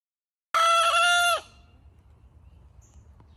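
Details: Backyard hen in a New England homestead garden in July, crowing in the morning: one short, harsh, strained crow of under a second that ends abruptly, followed by quiet background noise.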